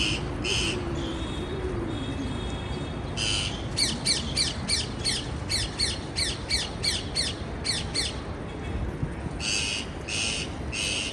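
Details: Parakeets chirping: harsh, buzzy squawks in quick bursts, first spaced, then a fast run of a dozen clipped notes around the middle, ending with a few broader squawks over a steady background hiss.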